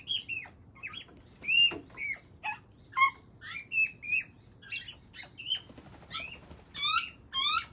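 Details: Young Australian magpie begs from its father with scratchy, upslurred squeals in uneven bursts, some doubled, the notes rough and harmonic-rich against a quiet background.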